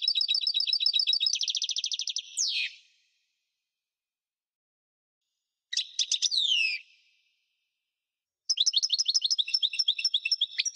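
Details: European goldfinch singing, known in French as chardonneret, style called parva: fast repeated high twittering phrases and buzzy trills, a descending slurred note near two and a half seconds, then pauses between bursts of chirps, clean background without other sounds.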